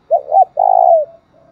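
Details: Thúc bổi lure call of a spotted dove, used to provoke another dove: two quick hooting notes, then a long steady coo sliding down at the end, and a faint trailing tone.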